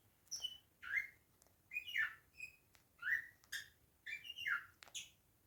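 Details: Beak grinding by a Bourke's parakeet: soft, rising, slurred chirps repeated roughly once a second with faint rasping clicks between them, quiet and intimate with no other sounds.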